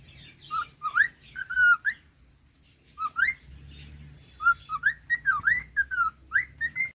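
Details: Cockatiel song of quick up-and-down whistled slurs and short rising notes in bursts, pausing briefly before a faster run, with a low hum underneath.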